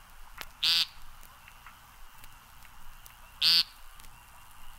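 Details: Two abrupt, nasal, buzzy calls from an American Woodcock, nearly three seconds apart, each very short and rasping, over a faint steady hiss.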